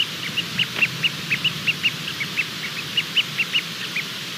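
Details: Hatching Bermuda petrel chick at night on 28 February 2020 peeping as it works to break out; brisk high chirps come in uneven bursts, some louder than others, with brief pauses and a soft hum underneath.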